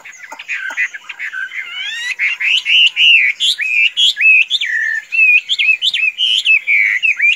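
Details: Continuous, energetic whistled song by a tame Chinese hwamei that can be let out without flying away; short swooping notes in quick succession, some rising sharply, with a few soft clicks at the start.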